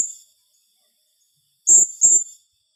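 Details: Blue-crowned hanging parrot (serindit) giving its 'tembakan rapat' rapid-fire calling style: after a brief faint note at the start, a pair of piercing, very high shrill notes follows close together, each with a rough lower rasp.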